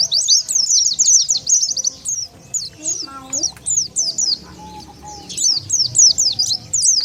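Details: Oriental white-eye lure sound meant to gather wild birds: fast high twittering chirps in runs, a brief lower voice-like sound midway, then more sharp sweeping notes.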